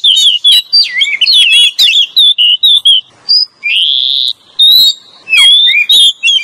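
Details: Male and female Oriental magpie-robin as a lure song: bright whistles and twittering notes, then a long sustained rising whistle, followed by quick sweeping phrases and clicks.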